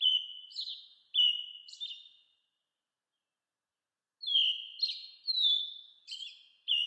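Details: American robin in 8D audio: clear, slurred, descending whistles strung into phrases, with burry accents between them. About five notes come in the first burst, then a two-second silence, then a quicker run of carols.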